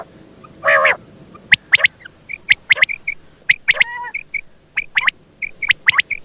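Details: A single buzzy nasal note from a female quail, then a busy stretch of sharp high clicks, short chirps and a brief rattling trill.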